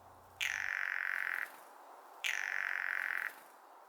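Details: Female Blue Jay (Cyanocitta cristata) gives two dry, wooden rattle calls, each about a second long and under two seconds apart, made while bobbing in a display with territorial and courtship functions; a brief low hum precedes the first.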